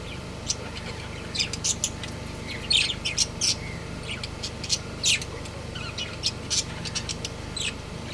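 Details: Pet budgie breeding pair in lively chirping: dense, irregular bursts of thin high tweets and scratchy squawks, loudest midway, against a constant low background drone.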